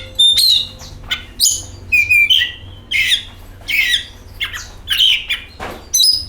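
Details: Oriental magpie-robin singing as a lure to provoke song: rapid, harsh, squawky phrases mixed with clear whistled notes, delivered in short bursts about every second, rich in high scratchy tones, faint constant background hum.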